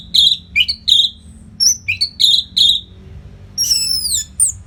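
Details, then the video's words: Full, ringing whistled phrases in quick succession from an orange-headed thrush's continuous training song for competition birds, then a sweeping high whistle that glides downward. "SUARA MASTERAN ANIS MERAH GACOR RAPET NO JEDA"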